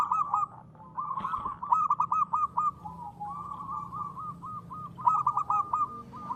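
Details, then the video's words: Local zebra dove in the ngristal singing style: soft, rapid, rippling cooing notes in rhythmic phrases, pausing briefly then resuming, over a low background hum. "perkutut lokal gacor.suara ngristal"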